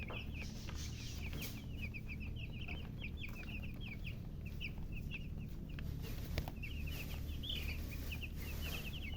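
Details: Chicks cheeping in a group: rapid strings of thin, high, falling peeps from several birds at once, with an occasional louder clear note, over a continuous low hum.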